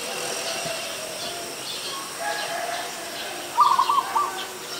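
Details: Adult zebra dove in Ubon Ratchathani, Thailand, recorded 24 December 2020, giving one short rapid stuttering coo run late on, amid steady high chirping from other small birds in the background.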